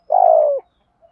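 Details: Single coo from a decoy spotted dove singing the 'thúc gù giọng thổ' style meant to stir wild males: one smooth, low, steady note about half a second long that dips slightly at its end, with clean silence around it.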